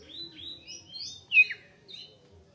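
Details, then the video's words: Soft, drawn-out whistles from a greater green leafbird, then one loud downslurred whistle and a few quieter notes. "KICAU CUCAK HIJAU GACOR JEDA RAPAT MATERI MANTAP"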